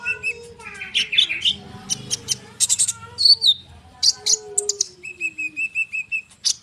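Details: Konin bird's tight rolling song, used as bait to make other birds sing back; varied high chirps, a slurred whistle, then a level repeated whistle series near the end.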